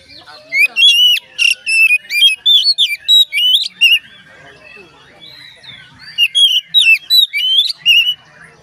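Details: Oriental magpie-robin sing-along song: two loud runs of rapid whistled, chattering and buzzy notes, roughly three per second, separated by a quieter stretch of softer chirps.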